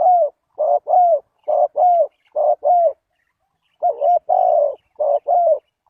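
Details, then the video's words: Spotted dove calling as a lure for wild doves: clean, mellow two-part coos, a short wavering note then a longer level one, repeated in steady phrases about every second with brief pauses, no other sounds. "Chim cu gáy chiêu kích mồi tập bổi nhanh nổi hiệu quả"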